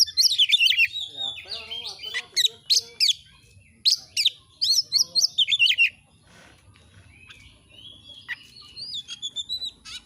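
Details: Kacer, the Oriental magpie-robin, singing gacor-style for masteran training: fast, jumbled whistles and rising slurs for six seconds, then a quieter stretch with faint thin whistles near the end.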